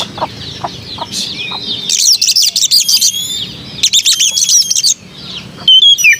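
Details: {'caption': 'White-rumped shama song: soft low clicks at first, then loud dense bursts of high chattering notes and rising whistles, ending with a sharp clear whistle.'}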